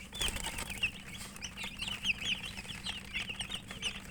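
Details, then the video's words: A group of chicks (murgi) eating, giving repeated thin, high, descending cheeps in an uneven stream, with scattered clicks from pecking. "Murgi chicks Chirping sounds and eating"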